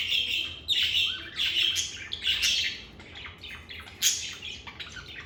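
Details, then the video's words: Chirping lovebirds in a calm, stress-free environment: a loud, busy stream of high, buzzy chirps and short twittering notes, some dropping in pitch, coming in quick irregular bursts. "Lovebird Singing & Chirping Sounds"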